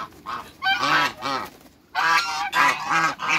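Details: Backyard African geese, a big pair, trumpet loud nasal honks in two clusters, each call strong and brassy, separated by a brief lull.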